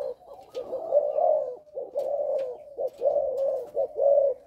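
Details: Young caged spotted dove of a Malaysian line, tested before sale and described as stammering on its first three notes, gives a steady run of low hollow coos in short linked phrases with brief gaps, almost no background noise.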